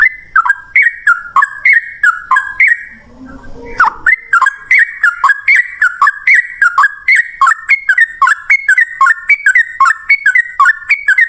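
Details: Yellow-vented bulbul song in the fast rolling ropel ngalas style, used as a lure to get other bulbuls to answer: rapid chattering runs of sharp down-slurred notes repeated several times a second, broken by a short gap near the start.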